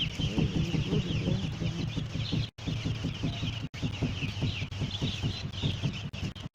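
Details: Day-old broiler chicks being received at a poultry farm in Batoke, Limbe, Cameroon. Many chicks peep together in a dense, continuous chorus of high notes over steady low rumbling background noise.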